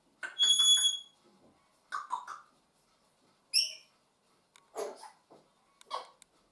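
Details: Two pet African grey parrots indoors making noises and babbling: a loud, pure whistle with ringing overtones, then short throaty chattering syllables, a sharp high squeak, and several more bursts of mumbled, speech-like babble separated by brief pauses.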